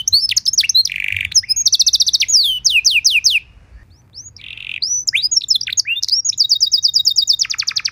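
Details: Canary song used as a master training recording to teach other canaries a rich song: loud high trills of rapid descending sweeps and buzzy notes, with a brief pause midway before fast rolling phrases resume.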